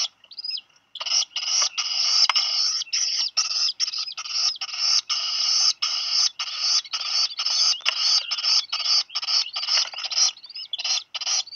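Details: Two young Black guillemots, hatched 26 and 27 June, call after a dropped fish on Seal Island National Wildlife Refuge, Maine, USA, July 2020 afternoon. Raspy squeals sound over and over for about ten seconds, broken by brief pauses.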